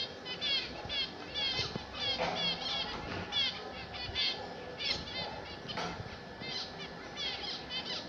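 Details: Zebra finches, kept by their owner, singing: rapid repeated series of nasal, buzzy stacked notes in bursts, with several birds overlapping throughout, over a steady low background hum.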